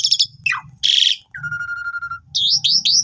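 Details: Asian pied starling song for training new birds: rattling trill, a falling slur, a harsh buzzy burst, a long level whistle and a quick series of looping, rising whistled notes.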